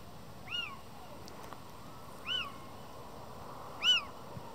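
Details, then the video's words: In the breeding season in Madrid, February 2023, a male Little owl mews insistently beside his female while another owl answers nearby. It gives three loud, cat-like mewing calls, each rising then dropping, about every 1.5 seconds, over a quiet hiss. "Pareja de mochuelos en época de celo, maullan"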